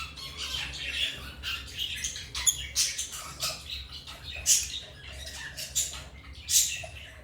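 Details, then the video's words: African lovebirds calling with rapid, high, harsh chirps and squeaky squawks in irregular bursts, several loud peaks spread through the recording, with a faint low hum beneath. "Love birds singing and chirping sounds| African love birds chirping sound"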